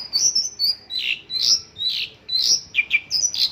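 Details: Song of a Mongolian lark loaded with local phrases, a quick string of bright whistled slurs and downward-sweeping chirps delivered almost without pause.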